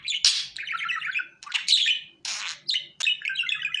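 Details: Budgerigar voice for hand-calling a pet budgie: long, grating warbled phrases with a fluttering, pulsed texture, broken by sharp clicks and harsh squawks, in a few connected bursts.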